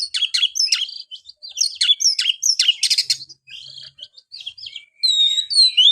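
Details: Oriental magpie-robin song, for stirring a lazy kept bird: repeated rough chattering bursts about every half second, a softer quiet stretch, then long pure high whistles.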